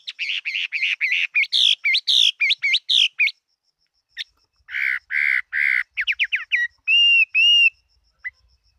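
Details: Chinese hwamei, a fighting-type songster, 2018: rapid repeated hooked whistles, then harsher squawking notes in a row, a short trill and two long ringing held whistles, over a faint steady high tone.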